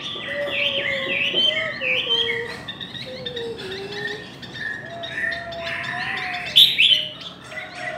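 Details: Contest singing by Chinese hwamei: a rapid stream of bright, looping whistles and chirps, varied and continuous, over a lower wavering whistled tone from another bird.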